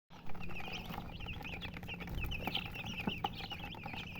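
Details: Chickens chirping, described as colored hens: a busy stream of short, high, rising-and-falling peeps from several birds overlapping without pause, over a steady low electrical hum and a few soft knocks.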